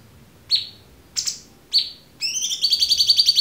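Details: Cucak cungkok in a clear-voiced tutor recording meant for murai batu, cendet, kacer and konin: three sharp downward-sweeping chips about half a second apart, then a fast buzzy pulsed rattle.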